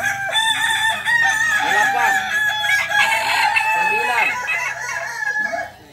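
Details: Sunday Balenggek crowing contest, landiak class, at Ampang Kualo in Solok city; dense overlapping crows from several roosters, long held harmonic notes with bending arcs, fading toward the end.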